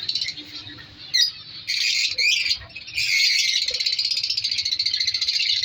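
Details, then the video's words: Breeding colony of captive colour lovebirds: harsh squawks and shrill chirps in bursts, settling into a continuous buzzing chatter in the second half. "Breeding Progress Colour Love birds |African love birds colony Update"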